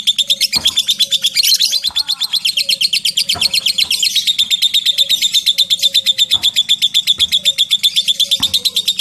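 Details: Lovebird singing the long 'ngekek' trill in the 'ngetik' style: a fast, high chattering run of sharp repeated notes, about three per second, held throughout with slight swells, over a faint low hum and occasional soft clicks.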